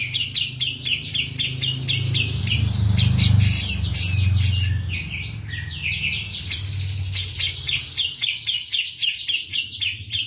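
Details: Grey-cheeked bulbul of the Javan type in full, insistent song styled like kapas tembak: fast scratchy chattering phrases with sweeping notes, over a strong low background rumble that swells midway.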